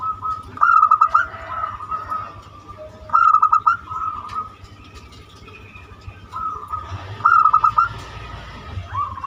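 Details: Zebra dove with a banyumili-style song used to lure other birds into singing, giving rapid stuttering coo phrases in loud bursts with softer trailing notes between, against a low background hum.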